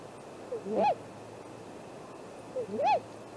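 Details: Great grey owl at the nest tree, early morning of April 2, 2018, on a live nest camera: two short hooted calls, each rising to a peak and falling away, about two seconds apart against low steady hum.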